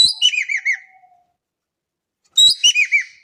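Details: A Javan kingfisher in Indonesia, in a lure recording, gives two loud calls separated by about a second of silence. Each call starts with a shrill upward note and continues as a fast, descending series of four or five arched chattering notes.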